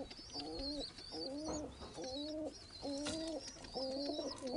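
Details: Rampuri pigeon, an Indian high-flying breed, cooing indoors: five repeated low bowed coos about once a second, each a rising then falling tone, with high chirps from other birds above.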